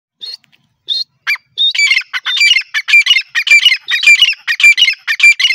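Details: Francolin (teetar) calling: loud harsh squawking notes, a few separate calls then rapid rhythmic bursts of grating, multi-part notes repeated nearly twice a second, no background noise.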